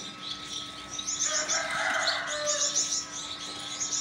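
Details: Pair of Gouldian finches, a rare mutation, kept as pets, giving quick, high, thin chirps in rapid bursts, with a lower drawn-out call rising briefly midway, over a steady electrical hum.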